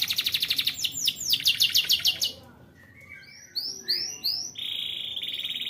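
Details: Young canary singing as a lure to teach other canaries to sing: fast trills of downward sweeps, a pause, then rising arched whistles ending in a steady buzzy trill.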